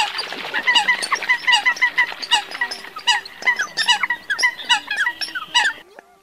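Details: Night net-trapping lure of Eurasian coots from the 2022 bird season: a continuous, crowded chorus of short nasal honking notes, many birds calling over one another in rapid irregular succession, fading out at the end.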